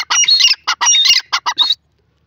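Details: Grey francolin (dakni teetar) calling: a loud, harsh, squawking series of about seven rapid bursts in under two seconds, the notes rough and broadband, ending abruptly in silence.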